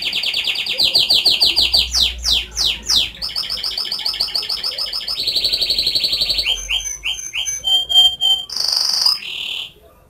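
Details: Canary whistling a varied song: fast trills, swooping slurred notes, rolling tours, pure ringing whistles and a final buzzy burst.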